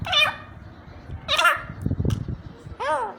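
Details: Grey francolin in Pakistan, 2021, giving three harsh, arched, nasal notes, each about a third of a second long and roughly a second apart; a man speaks briefly in between.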